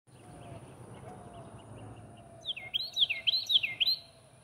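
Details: A house wren sings in a back yard: a quick, bubbly run of looping high notes lasting under two seconds, over a faint steady high-pitched whine and low background rumble.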